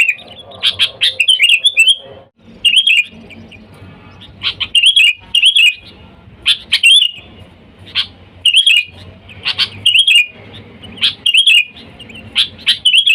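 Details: Sooty-headed bulbul calling wild companions, played to lure bulbuls: steady run of short phrases, each a quick chirp pair ending in a fluty gurgle, repeated roughly every second, over faint low noise.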